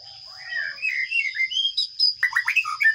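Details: Sparrow chicks in a nest box being fed by a parent, watched by a camera: a soft low sliding note, then rapid, high, scratchy chirps growing busier and louder toward the end, over a steady thin electronic whine.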